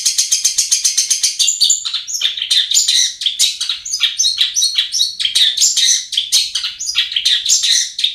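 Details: Lure recording of a long-tailed shrike singing, intended to get quiet birds singing: rapid clicking chatter at first, then a dense flow of harsh, scratchy, varied high notes that never pause.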